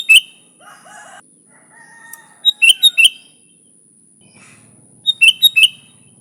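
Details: Sooty-headed bulbul, lure recording for bulbuls: repeated phrases of three to four bright bubbly chirps, mixed with softer lower chattering and short whistles from other birds, over a steady high electronic tone.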